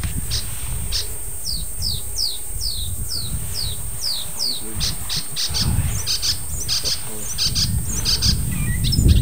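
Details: Icterine warbler, an unusual early July visitor staying a few days, singing with mimicry of other birds: a run of about ten repeated downslurred whistles, then denser scratchy, varied phrases, over steady low rumbling background noise.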